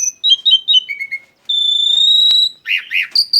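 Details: Black-winged starling song used as a lure: a descending series of clear whistled notes, then a long steady whistle, followed by two buzzy warbling phrases and a sharp high note at the end.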